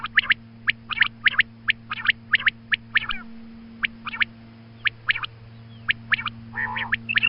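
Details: Female quail in morning call, meant for hunts: short sharp high notes in quick pairs repeated about once a second, a brief harsher note near the end, constant low hum behind.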